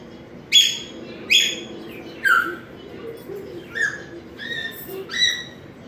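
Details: African grey parrot aged ten months, making sounds and trying to talk: sharp downward-sliding whistled chirps repeated roughly every second, loud at first and softer later.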